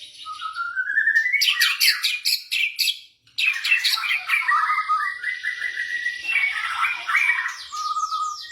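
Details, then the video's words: Caged white-rumped shama of the blorok type singing to prompt other birds to sing: a rising whistle, then dense varied warbles, harsh chatters and trills, a short pause, more mixed phrases and a final level whistle. "OCEHAN MURAI BATU BLOROK )PANCINGAN MURAI BATU MLAS BUNYI"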